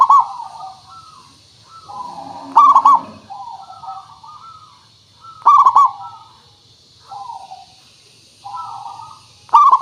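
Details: Local zebra dove song played to coax other birds into singing: loud clipped coo phrases about every three seconds, soft overlapping coos between, and a brief low rattling sound early on.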